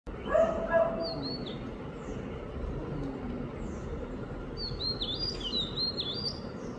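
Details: Summer song of an oriental magpie-robin in Mapusa, April 15, 2023: bright, high whistled phrases with quick upslurred and downslurred notes; a dog barks twice at the start over steady background hum.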